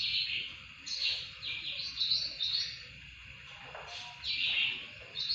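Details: Greater green leafbird song for training songbirds: high chattering and warbling phrases that rise and fade in waves, separated by quieter stretches, with faint low background hum.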